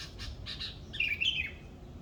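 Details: Morning birdsong: a few short, hoarse chirps followed by two bright whistled phrases that rise and then drop, with a low rumble underneath.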